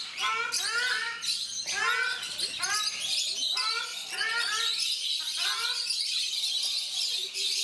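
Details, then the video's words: At Mysore Zoo, captive ruddy shelducks, called Brahminy ducks in India, repeat arched nasal honks for about five seconds. Then the calls thin out and a broad steady hiss takes over. "Cute Ruddy Shelducks / Brahminy Ducks Making Sounds"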